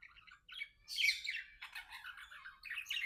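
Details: Pet budgerigars, best friends chattering and singing indoors, pour out a dense buzzy warble mixing squawky notes and chirps, loudest around the first second.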